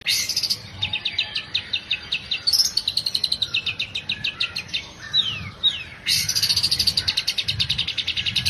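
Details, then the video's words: Long-tailed shrike singing lively, used as a lure to get other shrikes singing: dense bursts of high chirpy notes repeated rapidly, with brief pauses and a few sharp downslurred whistles midway. "CENDET GACOR?! PANCINGAN BUNYI CENDET"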